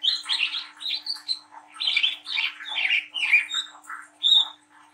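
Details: Speckled young Brown-throated sunbird twittering and warbling: clusters of high squeaky notes and thin whistled slurs, about one burst per second, ending with a clear high whistle, faint hum behind.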